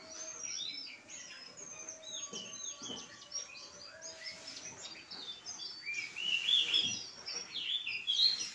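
A Pied Bush Chat's high, bright twittering song: quick chirps and short whistles tumbling together without a steady beat, over a faint background hum.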